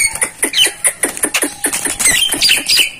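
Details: Jalak (starling) masteran song: bright, high-pitched, rapid chatter of sharp clicks and squeaky whistles, repeated several times a second with little pause.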